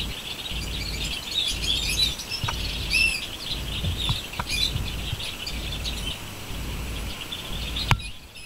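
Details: Birds twitter in rapid high chirps with a few clearer whistled notes, a low hum beneath, a sharp click near the end, then the chirping stops.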